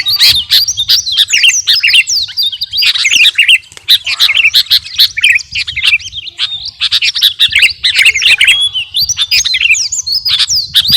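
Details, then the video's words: Sooty-headed bulbul, the kutilang garuda type, in energetic song used to train caged birds: a continuous stream of quick whistled chirps and upward-flicking notes, barely pausing across the whole stretch. "KUTILANG GARUDA GACOR..!! SIAP TEMPUR KICAUAN"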